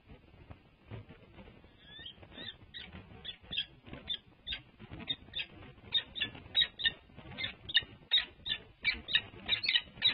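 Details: Wild peregrine falcon pair at their nest at UC Berkeley, one bird calling to urge its mate to take a break from the nest during a changeover. Sharp, high chipping notes repeated rapidly and growing louder toward the end, over a low background rumble.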